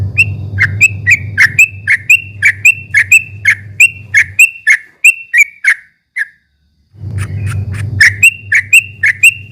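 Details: Yellow-vented bulbul delivering quick ropel-style chirping to goad rival birds: a long run of short, piercing notes, a pause of about two seconds, then the chirping resumes, all over an intermittent low mechanical hum.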